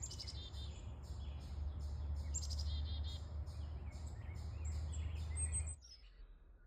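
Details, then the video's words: Birds chirping cheerfully as cottonwood seeds drift in a warm breeze: short high chirps repeated rapidly in quick bursts over a steady low wind rumble, which cuts off abruptly near the end. "birdie sounds"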